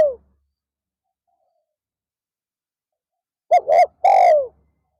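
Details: Spotted dove kept as a decoy for luring wild doves in an afternoon session: end of a falling coo, a pause, then one phrase of two short hoots and a long descending coo.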